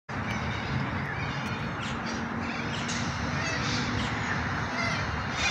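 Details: An Australian cockatoo in a tree gives harsh, grating screeches that run almost without pause, thick with raspy noise, over a steady rushing background.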